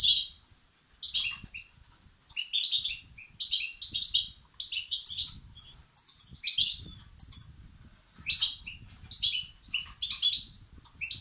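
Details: Begging goldfinch chicks, European goldfinch, calls used to stimulate males: a steady series of high, harmonic chirp bursts roughly once a second throughout, some notes very shrill, with soft low rumble behind.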